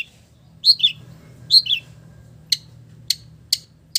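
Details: Long-tailed shrike singing imitations of village birds: paired high twittering phrases followed by sharp single clicks spaced roughly half a second apart, against a low steady background hum.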